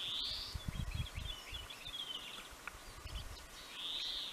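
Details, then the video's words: Pine grosbeak at Neljän Tuulen Tupa, Finland, March 2023, giving a bright slurred whistle, then scattered short chirping notes, and another rising whistle at the end; low thumping and rustle underneath. "Pine Grosbeak"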